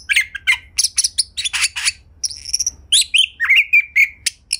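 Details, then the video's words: White-rumped shama singing to prompt other shamas: busy, harsh chirps and clicks early on, a drawn-out high whistle midway, then a rippling run of clear whistled notes. "Pancingan Kacer Gacor Agar Bongkar Isian Ngobra"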